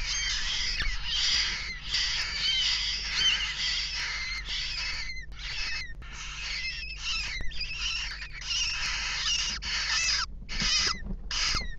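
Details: Western jackdaw chicks in a nest box begging as both parents feed them at 19:00 on 3 May 2017; harsh, raspy broadband calls in long overlapping bursts, nearly continuous, with short gaps and a few squeaky rising notes.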